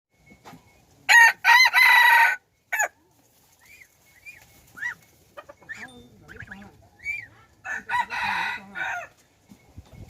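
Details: Hybrid rooster, a cross between domestic chicken and wild red junglefowl, kept as a decoy bird, dated 10/1/2021: two loud, harsh, strained crows, each broken into stuttering segments, with soft scattered chirps and clucks between them.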